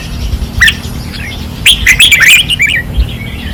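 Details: Caged red-whiskered bulbuls singing fiercely on a training perch in 2024: short bright warbled phrases with sharp rising and falling notes, a brief burst early and a richer jumbled phrase near the end, over low steady background rumble.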